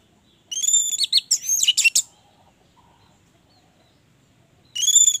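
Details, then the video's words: Orange-headed thrush kept as a cage bird: a burst of loud, high, intricate whistles and mimicking chatter, then a long quiet gap before another bright whistled phrase begins. "Anis merah gacor, pancingan Anis merah agar cepat gacor"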